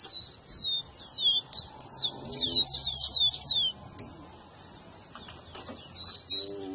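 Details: Whistled song of a rufous-collared sparrow, played to stimulate a pet bird: a steady series of high descending slurs, about three per second, building to a louder, denser burst, then quieter scattered notes with a faint low rumble.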